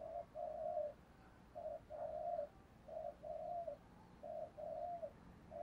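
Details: Distant, quieter spotted dove in the thổ voice style, urging coo. Grouped mid-pitched hoots with drawn-out notes repeat steadily about every two seconds over a steady hiss of background noise.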